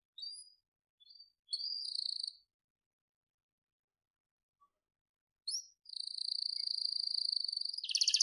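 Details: Captive-bred blorok white-rumped shama, a pied genetic variant, giving masteran song: brief high whistles, a long silence, then a sustained shrill whistle ending in a buzzy rattling trill.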